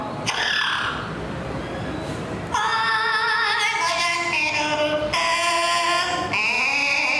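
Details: Groucho, a female yellow Amazon parrot who knows about eight songs, sings a human tune for an audience at Animal Kingdom, Walt Disney World, Orlando, Florida, on 30 Oct 2023, in voice-like wavering held notes after crowd murmur and applause.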